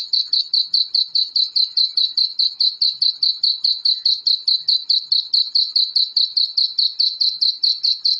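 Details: Black francolin chicks peeping: a long, metronome-like string of sharp, high notes about two or three each second, clean and without background noise, played to rouse adult francolins.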